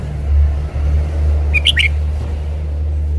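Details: Red-whiskered bulbul showing off its song gives one quick, bright phrase of three or four chirped notes, half buried under a heavy, continuous low engine-like rumble.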